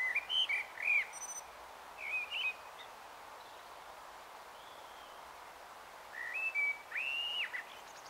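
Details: Dusk evensong of a common blackbird in Taunton, Somerset, 21 March 2018 at 18:12: mellow rising and falling whistled phrases, each closing with a thin squeaky twitter, separated by short silent gaps.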